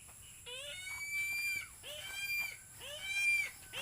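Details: Philippine eagle calling in the early morning before its breakfast. Three drawn-out, high, harmonic whistled screams rise steeply and then hold level, with short rising notes between them and a faint low rumble underneath.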